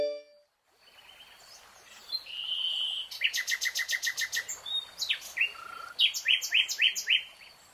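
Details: A nightingale in a lush green forest sings a flat whistled note, a fast pulsing series of repeated notes, then a further set of loud, evenly spaced downward-swept notes.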